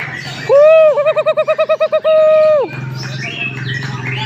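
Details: Butcherbird, a Papuan bird shown at a gantangan in Jayapura: a strong, clear whistled note swelling then breaking into a fast wavering warble of about eight pulses, ending on a long steady whistle that falls away, with faint chirping around it.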